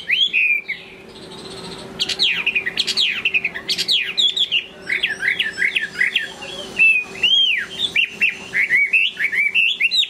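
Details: A Chinese hwamei sings in the late afternoon: loud, rich phrases of rapid slurred whistles, rising and falling and tumbling one into the next with short pauses, over a faint steady hum.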